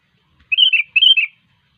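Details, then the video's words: Sooty-headed bulbul (kutilang) singing gacor, vigorously: two short whistled phrases of quick, bright, warbling notes, each under half a second with a brief pause between. Nothing else is audible. "Burung kutilang Gacor"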